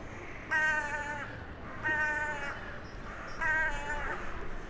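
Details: Town-centre crow on a January 2021 evening, calling to crows flying in for the night; three drawn-out, nasal caws about 1.4 seconds apart, each roughly two-thirds of a second long, over a low hum.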